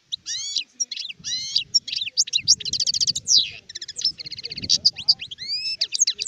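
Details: Adult European goldfinch, called sharif, recorded in 2019, in full continuous song: high, fast, liquid twittering with rising slurred whistles and rattling trills, sung almost without pause.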